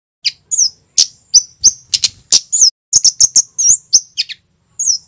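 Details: Javanese male red kemade (Scarlet-headed Flowerpecker) singing loudly: a quick irregular run of very high sharp chips and short slurred whistles, about three notes a second, with brief pauses.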